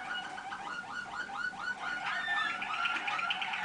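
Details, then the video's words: Young Waterslager canaries from 2010 singing at a listening session on 25 November 2010: a run of repeated rising liquid notes around the middle pitch, about two per second, giving way to a denser warbling trill with bright higher tones. "канарейки . waterslager. malinois."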